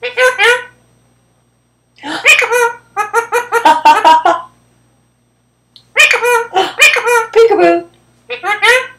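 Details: Pet ring-necked parakeet, about ten years old, chatting indoors with its owner: bursts of harsh, harmonic, speech-like chatter in three or four phrases separated by pauses of about a second.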